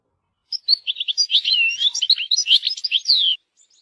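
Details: European goldfinch outdoors: a lively, fluid phrase of twittering, slurred and chattering notes running for about three seconds.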